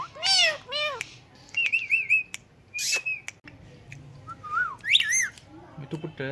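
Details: Pet Indian ringneck parakeet mimicking a cat's meow, giving several arched, nasal meow-like notes, wavering whistles and sharp squawks with short pauses, a person speaking softly at times.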